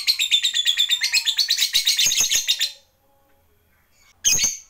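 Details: Lovebird of the fighter type trilling to provoke rivals; a shrill, pulsing chatter lasts under three seconds, then falls silent before a short, sharp high burst at the end.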